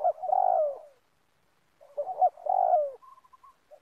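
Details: Used as a lure to trap birds in an oil palm plantation, a spotted dove utters a long sliding coo, a pause, then stuttered notes and another falling coo, followed by faint soft trills.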